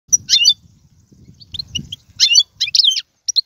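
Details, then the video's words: European goldfinch singing in tiwawati, galoubi and serfati styles: short bursts of high, tinkling twitters and slurred chirps separated by pauses, with a faint low rumble underneath. "مقنين طيواواطي قالوبي و سرفاتي, هذا الحسون ليس له مثيل"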